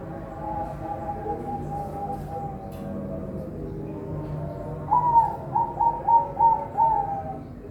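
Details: A farm-bred zebra dove from Semarang, Indonesia, heard after several seconds of low background murmur and tones, giving a run of five quick, clear coo notes in even rhythm.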